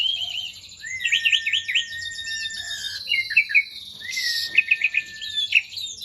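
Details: Asian pied starling (jalak suren) in full, active song: rapid chattering phrases, rising whistled notes and buzzy bursts over a long steady whistle, with a sharp noisy burst midway.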